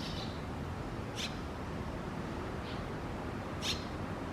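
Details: A nesting Red-rumped Swallow at a veranda gives four clipped high chirps, irregularly spaced across four seconds, some stronger than others, with low background rumble throughout.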